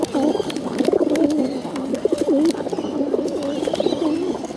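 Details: Hungry, bottle-fed pigeons calling for food, giving continuous low, quavering, wobbly squeals that bend up and down in pitch in close succession, loud and near, set against faint knocking.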